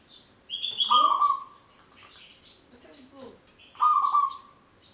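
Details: Local zebra dove in vigorous long song, used as a trapping lure: two loud cooing notes about three seconds apart, each opening with a harsh burst, plus softer rising chatter in between.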